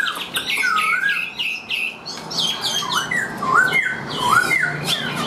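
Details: Caged Chinese hwamei, hand-tamed, singing a string of short falling whistles followed by three rising looped phrases, each roughly a second apart.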